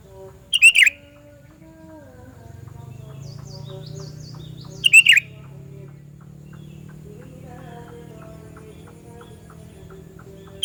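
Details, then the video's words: Sooty-headed bulbul call used to lure bulbuls: two loud, brief bursts of bubbly notes around five seconds apart, with faint distant chirps between and a low background hum. "Panggilan Burung Kutilang Suara Nyaring Keras, Cocok Buat Pikat Kutilang Anda"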